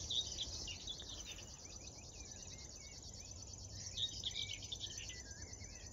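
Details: River warbler near the Drentse Aa at Tynaarlo, the Netherlands, morning of 10 June 2022: an unbroken, dry, sewing-machine-like high buzz, while other birds add scattered chirps and short whistled notes lower down.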